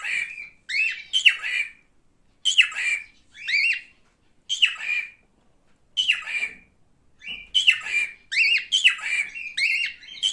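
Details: Male cockatiel giving a run of harsh, harmonic chattering calls, each rising then dropping in a short arc, delivered in bursts separated by brief silences over ten seconds.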